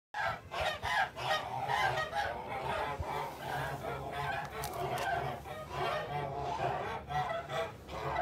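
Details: Kholmogory geese, a farm flock, recorded on 29 March 2021: overlapping nasal honks and cackles, harsh and harmonic, come in dense bursts throughout with hardly a pause, many birds calling at once.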